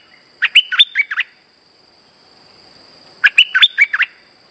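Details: Streak-eared bulbul song used as a trapping lure, two lively phrases of five or six sharp, bouncing chirps that rise and fall, separated by roughly two seconds of quiet; a steady high-pitched hum sits beneath.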